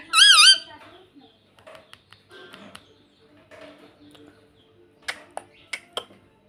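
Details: A pet ringneck parrot gives one short, loud, wavering squawk at the start, followed by near silence with a few faint clicks and taps.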